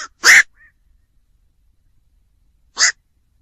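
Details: A harsh, hoarse bark from a black-crowned night heron, followed by a brief faint note and then a second croak about two and a half seconds later. The tail of an earlier call is cut off at the start.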